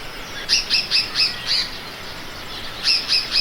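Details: Oriole Warbler (Hypergerus atriceps) of Africa giving bright, clipped high notes, about four a second: a run of five, a pause, then three more. Faint background hiss.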